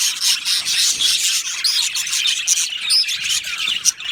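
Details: A budgie colony in an aviary gives constant overlapping chatter: bright high chirps, raspy squeaks and short warbled notes blending into one busy wall of sound.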